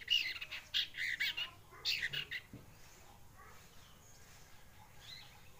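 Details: One-month-old collared kingfisher chick learning to call: harsh, scratchy bursts in quick clusters for about two and a half seconds, then only faint, broken notes under a low background hiss.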